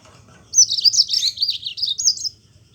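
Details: A yellow-fronted canary in lively, rolling song meant to set other Mozambique canaries singing: a single continuous high warble of nearly two seconds, rapidly rising and falling in tight wavy loops, over a soft low hum.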